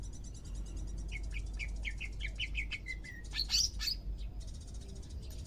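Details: Caged greater green leafbird on its second day of care, becoming active: a run of short, clear, repeated whistled notes at a steady pace, then a burst of bright, higher twittering notes, over steady low hum.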